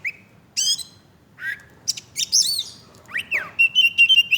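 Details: Oriental magpie-robin (kacer) singing vigorously: a varied run of sharp chirps, rasping squawks and slurred notes, including a falling-rising swoop, ending in a string of steady high whistled notes.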